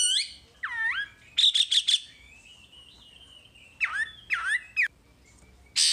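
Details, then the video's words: Wambi song in a masteran full-material recording: down-and-up slurred whistles, a quick burst of four harsh buzzy notes, a faint drawn-out whistle, then sharp swooping calls and a final harsh buzz. "Masteran Wambi paling istimewa full materi"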